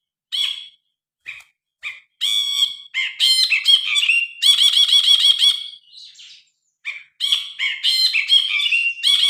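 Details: Grey-cheeked bulbul in active song, recorded by phone as tutor material for cage birds. Short spaced notes build into long, loud, varied phrases with rapid repeated rich notes and chattering slurs, continuing after a brief pause.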